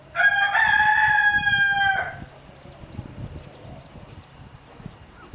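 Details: Rooster crowing while harassing a mother hen and her chicks. One loud, drawn-out, harmonic crow lasts about two seconds, holds a fairly level pitch, then drops off. Quieter rustling and soft clucking follow.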